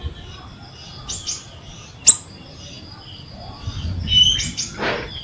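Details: Ashy drongo singing, used as a lure for birds that have gone silent: soft buzzy notes, one sharp high click, a brief warbled whistle and a rough rasping note at the end.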